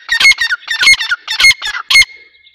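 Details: Grey partridge, Dakhni teetar, giving a short burst of rasping, squawky notes in four quick groups, each ending in a sharp squeak, then falling quiet.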